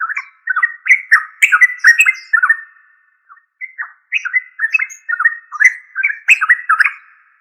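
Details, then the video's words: Yellow-vented bulbul, known locally as trucuk: two bursts of bubbly, chattering notes in quick succession, separated by a short pause, with faint high chips above. "Tropical Bird Calls to Relax Yellow Vanted bulbul trucuk"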